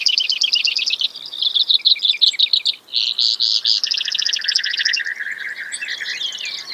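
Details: Brewer's sparrow giving a long, continuous run of rapid, buzzy trills that shift speed and pitch from segment to segment, high and bright throughout, with one brief pause near the middle and a faint background hiss.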